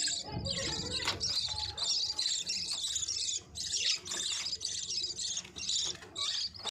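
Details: A group of budgerigars singing, a busy overlapping chatter of high buzzy twitters, clicks and short whistles that keeps going with a few brief gaps, plus faint low background rumble.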